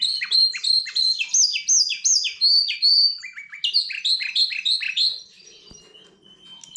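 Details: A goldfinch x canary hybrid sings fast repeated descending chirps, nearly three per second, switching phrase types several times before fading to a thin sustained whistle and faint background noise.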